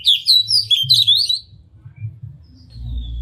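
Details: Oriental magpie-robin singing with tail spread, used to stir other magpie-robins: a brief burst of high sweeping whistled notes in the first second and a half, then quiet with a low hum.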